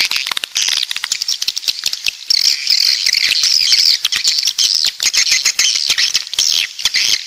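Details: Coastal swiftlets from the south give a dense stream of high, buzzy twittering chirps, overlapping and nearly continuous, with sharp clicking ticks scattered throughout.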